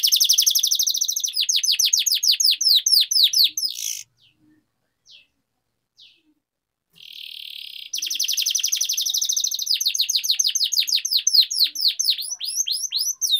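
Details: Rolling canary song played to make lazy canaries sing: long runs of rapid, loud descending notes, broken by a quiet stretch with a few chirps and a buzzy trill, then rapid notes resume.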